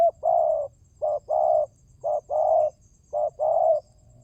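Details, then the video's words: Spotted dove lure call: brisk series of four cooing phrases about a second apart, each a clipped note and a longer steady hoarse coo, clear and close against a faint low hum. "Pancingan burung tekukur berkhasiat !!! Di jamin tidak bisu"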